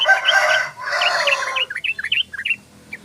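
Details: Sooty-headed bulbul (trucukan), a tame bird, in rapid ropel song. A loud, noisy rush of sound opens the recording, then comes a string of short, bubbly, up-and-down whistled notes about five per second.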